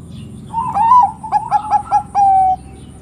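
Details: Bangkok zebra dove in full song, said to stir other doves into calling; a wavering opening coo, four quick clipped notes and a long level closing note, low hum behind.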